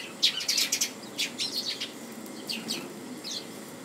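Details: At home on 10 January 2014, a Japanese white-eye gives a fast run of thin, high twittering notes, dense at first and then thinning out into scattered chirps, over light background hiss.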